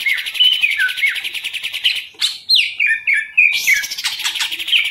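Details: Green leafbird kept for bird-keeping in Indonesia: buzzy trill with whistles, a brief pause, then descending slurred whistles and another rolling trill.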